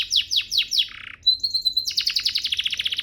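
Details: Canary tutor song: four quick descending chirps, a short buzzy burst, a thin sustained whistle, then a fast even trill of repeated notes.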